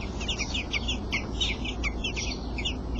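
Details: Robin chicks, eight days old, begging in the nest while their father feeds them: a dense, overlapping chorus of thin, high, downslurred squeaks with a steady low hum behind.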